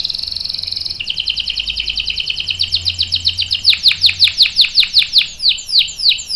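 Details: Vigorously singing canary with a long roll: a fast, high buzzy trill gives way to a fast series of down-slurred notes that grow louder and slower toward the end.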